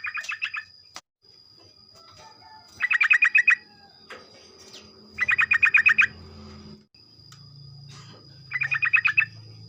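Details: Sooty-headed bulbul morning song, meant to set other bulbuls calling: four bursts of fast, bubbly chattering notes spaced about two to three seconds apart, with low hum between some phrases.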